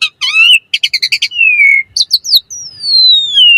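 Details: Asian pied starling 'mompa' variation song for training and luring starlings: a stuttered chattering run, a falling whistle, a few quick slurs, then a long clear whistle sliding steadily downward.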